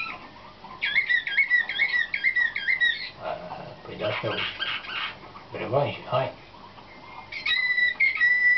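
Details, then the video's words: Canaries selected for competition, training in the nightingale-type slavujar song, 2013: a rolling whistled trill, then a patch of noisy rustling, and a final held whistle. "CANAR SLAVUJAR"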